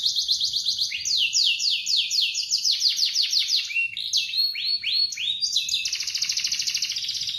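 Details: Morning song of a canary intended to prompt quiet canaries to sing: quick runs of downslurred high notes, several changes of tour, a cluster of swooping whistles and a final dense buzzing roll.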